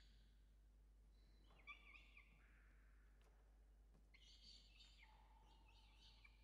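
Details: Evening feeding at a Peregrine falcon nest in Orange, Australia, on 5 November 2021: soft, thin, strained whining calls in two short series separated by near silence, quiet over a steady low hum.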